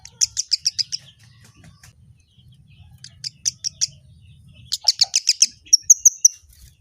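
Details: Kemade bird calling in bursts of sharp, high chirps, four or five quick notes per burst separated by pauses, ending in a series of thin whistled notes; faint low hum underneath.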